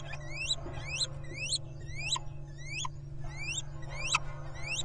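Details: A little owl pair reuniting at their nest during the 2023 breeding season trade quick, mewing upslurred notes, two or three a second, overlapping as if from two birds, over a steady low hum.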